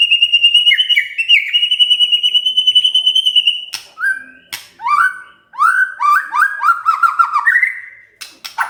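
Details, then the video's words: Agitated white-rumped shama answering with a long even trill, then sharp clicks and a series of loud downslurred whistles. "tidak nyampe 3 menit murai TERPANCING emosinya, nyaut GACOR"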